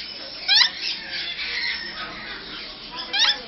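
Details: African grey parrots mating at a pet shop in Bangalore; one gives two short, harsh, buzzy squawks about two and a half seconds apart, each rising and falling quickly, over a steady background hiss.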